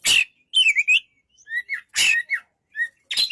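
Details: Short bursts from an Oriental magpie-robin: a harsh rasp, a wavering whistled trill, then soft descending whistles and another rasping note, with brief silences between.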